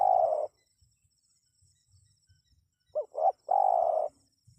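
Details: Spotted dove call, used to draw wild birds into responding: the tail of a long buzzy coo, then after a pause two short arched notes and another drawn-out, rough, low purring coo, with no other sounds.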